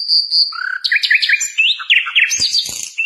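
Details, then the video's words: A flycatcher (sikatan londo), recorded as a song-training model, sings thin high whistles, then a rapid, varied run of sharp chirps and twisting notes with a few dry clicks. "Suara Masteran Burung Sikatan londo Gacor"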